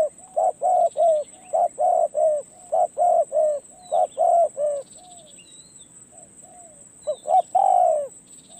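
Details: Decoy spotted dove on a perch gaining experience, calling a rapid run of short, hollow coos in pairs, then a pause with faint distant coos, then a louder burst with a drawn-out note; constant thin high whine behind.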